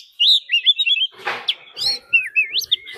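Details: Decoy Oriental magpie-robin giving its fighting song alongside a wild female's call: a fast run of clear high whistled notes, then a brief harsh rasp, followed by looping upslurred whistles and a thin descending tone.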